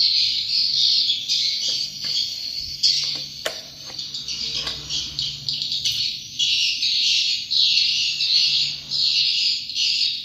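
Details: High swiftlet chirping runs in rolling waves, broken by a few sharp clicks and knocks near the middle. A low background hum is present.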